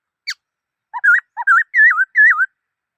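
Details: A black-throated laughingthrush sings a brief high note, then paired phrases of a low whistle followed by a wavering, looping whistle, the last two phrases longer and richer; clean, quiet background.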